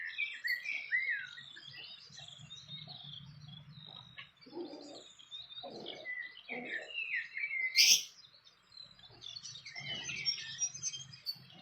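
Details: Wild fantail at its nest: a lively run of short squeaky whistled notes rising and falling at high pitch, ending with a louder sharp note, over a steady low hum with a few soft thumps.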